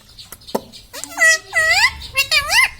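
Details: Indoor pet rose-ringed parakeet that talks, saying words like mummy and radhe radhe: a few clicks, then three or four rounded, rising-and-falling speech-like syllables in quick succession.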